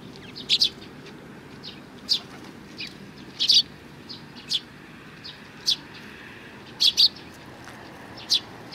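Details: Short bright chirps from sparrows at a Tenmangu shrine, recorded 22 May 2019, come singly and in doubled bursts every second or so against a low steady hum.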